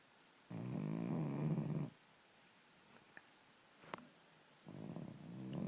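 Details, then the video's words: ['Young common raven, five to six months old, snoring loudly: a rough, rasping, low buzzy rattle lasting over a second, then quiet with faint clicks, then another rasp begins. Indoors.'] "Raven snoring!"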